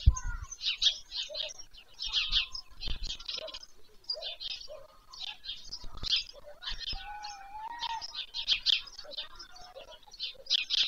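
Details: Evening feeding of white stork chicks near Pyriatynskyi National Nature Park, Ukraine, on 21 July 2024, from a livestream. Repeated coarse, hissy bursts fill the scene, with a clear low whistled note midway and occasional low thumps.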